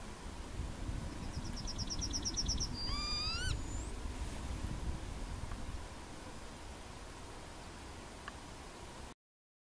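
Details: A Yellowhammer recorded at Płochocin in July 2013 gives a rapid, high, dry trill of about a dozen notes, then a quick rising final note, over a steady low rumble of wind.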